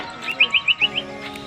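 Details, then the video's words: A Greater green leafbird from Cilegon, described as a female used to train other birds, sings a quick run of five bright, high chirps, about seven a second, over a faint steady hum. "Cucak hijau , " gacor ""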